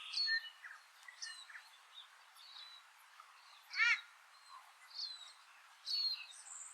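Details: A Paradise Shelduck on a farm in the Maungakotukutuku Valley, New Zealand, on an early winter day, gives one loud, shrill, harsh call partway through, over steady high chirps and twitters from several small songbirds.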